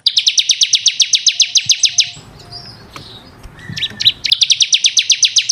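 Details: Bar-winged prinia, known locally as ciblek kristal, in a recording used to train caged birds: rapid trill of high downslurred notes, a break with scattered chirps and low background rumble, then the trill resumes.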